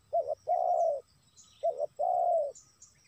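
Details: Spotted dove call played to lure wild doves: two phrases, each a short quavering coo followed by a long, smooth, low coo, over a faint steady background hum.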